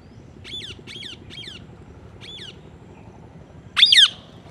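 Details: Green ringneck parrot uttering a quick run of three harsh squawks, a single repeat, then one loud, close screeching call near the end.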